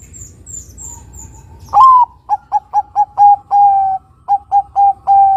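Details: Bangkok-type zebra dove of local crossbred stock in full song, a rising opening whistle followed by a run of short clipped coos and longer drawn-out notes, all steady and mid-pitched; faint high chirps of another bird come at the start.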